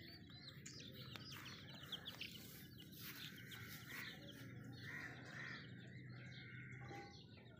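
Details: Little baby chicks peeping: many short, high chirps overlap throughout, some slurred downward, over a steady low hum.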